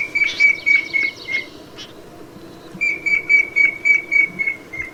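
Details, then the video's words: Snipe calling with two bouts of short, clear whistled notes repeated about four times a second, separated by a brief pause, over a low background hum. "Tiếng chim Rẽ Run"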